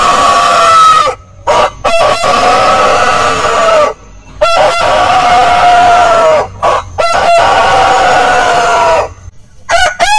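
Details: Roosters crowing with long sustained crows overlapping one another, a steady harmonic drone broken by brief pauses, clucking bursts between crows and a noisy background.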